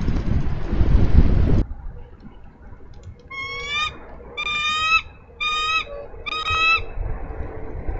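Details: Minnesota nest-cam recording, 3 May 2013: a female bald eagle calls her mate to relieve her from nest duty. A loud rushing noise burst gives way to four high, piercing, harmonic-rich notes in a fairly even series.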